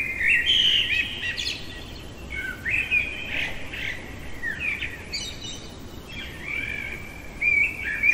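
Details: Common blackbird singing in the middle of the night: a run of mellow, fluty warbled phrases, each rounded off with thin, squeaky high twitters, following one another with barely a pause.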